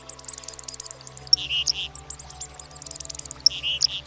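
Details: Black-capped Chickadee calling with rapid runs of thin, very high chips followed by lower, harsher buzzy notes, the pattern repeated twice, with a faint low pulsing tone beneath.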